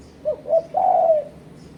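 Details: Spotted dove coo for luring and challenging rival birds: a pair of quick low notes then one long, smooth cooing note, clear against a quiet background.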